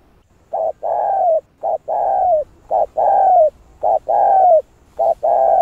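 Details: Spotted dove urging wild doves to call, thúc and gù style: a steady chain of mellow coos, short note then longer sustained coo, about five paired phrases, nearly continuous and evenly paced.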